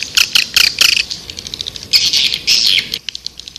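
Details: White-nest swiftlet lure call for attracting swiftlets: bursts of high, harsh chirps repeated rapidly for three seconds, then a quiet gap with a few faint ticks.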